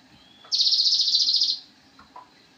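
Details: Recording of a Javan cochoa used to train songbirds: a thin lead-in note, then one loud, high, rapidly pulsed buzzing trill of about a second, ending softly.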